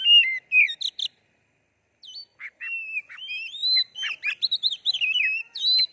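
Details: Oriental magpie-robin (kacer) singing gacor as a lure to set other songbirds singing: short clear whistles and downslurs, a pause of about a second, then a flowing series of varied rising and falling whistled notes.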